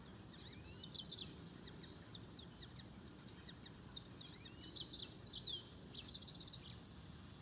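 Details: Green singing finch singing a lively, high-pitched twittering phrase of quick chirps and upward-sweeping whistles, delivered in two bursts over a faint steady hiss.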